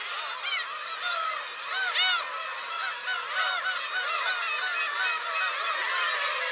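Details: Black-tailed gulls calling near a shrine on Friday 10 July: loud, busy chorus of nasal mewing and yelping, with a few clear high cries standing out above the mass of downward-bending calls.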